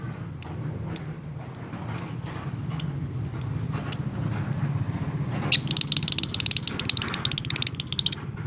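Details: Fighter lovebird in long 'ngekek' chatter, used to stir reluctant lovebirds into calling. Sharp, high shrieks come about every half second, then run together into a rapid, dense rattling trill over a steady low background hum.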